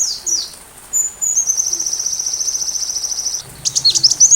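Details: High-pitched sunbird song used to train white-rumped shamas: a few thin whistled slurs, then a long, even, rapid trill of tiny ticking notes, ending in a burst of sharp rising and falling chirps.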